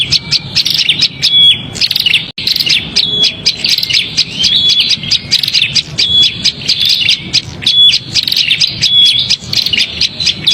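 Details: Noisy agitated prinia calling, used as a lure for small birds: a continuous stream of scratchy high chirps and clicking ticks, with short shrill whistles recurring every second or so, and only a momentary pause after two seconds.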